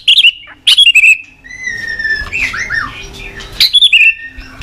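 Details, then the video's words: White-rumped shama singing in the morning, used as a lure to set caged birds singing: loud clear whistled phrases sliding downward, a long steady whistle, then twisting slurred notes and a final bright descending flourish. "Pancingan Murai Batu Pagi hari"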